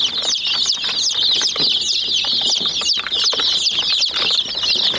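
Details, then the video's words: Young chickens pecking at a toy jeep chirp constantly, a crowded wash of piercing, short, slurred peeps, with frequent sharp taps where beaks hit the toy. "Murgi Chicks Chirping Sounds"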